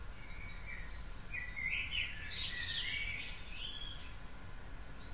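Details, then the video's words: Birds in a back-garden dawn chorus at 4.30am on 9 April, spring: bright chirping and twittering song bursts sweep high and fast through the middle seconds over a steady low ambient rumble. "Dawn Chorus"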